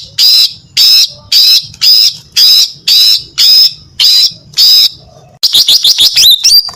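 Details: Female greater green leafbird singing to lure males: a run of eight evenly spaced high, slurred whistles about two per second, then a rapid burst of quick chattering notes ending in a rising whistle.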